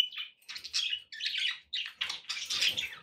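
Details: Continuous budgerigar warbling from pet birds: rapid buzzy, chattering phrases with whistled chirps running almost without pause.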